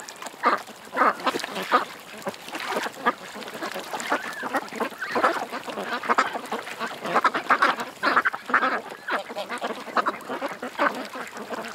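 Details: Many ducks at a creek keep up a noisy chorus of harsh quacks and honking notes, louder clustered bursts around the middle and end, calls overlapping without a break.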